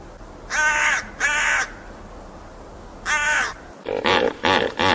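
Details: Crow calling with three rasping caws, two close together and a third after a pause of over a second, followed at the end by a burst of shorter, clipped harmonic calls of a different quality.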